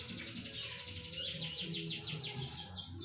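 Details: White-rumped shama from the forests of Lampung singing in the nembak cililin style, a fast run of repeated high buzzy trilled notes, about three per second, over steady low background noise.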